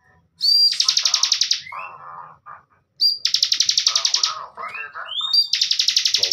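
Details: Bar-winged prinia kept as a training master for young cage birds gives high whistles and long rapid buzzy trills, mixed with lower chattering notes that may come from other birds.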